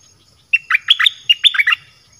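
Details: A single dok taeng style phrase from a red-whiskered bulbul, sung for drawing in wild birds: roughly eight rapid bubbling whistles rising and dropping within about a second, with near silence around it.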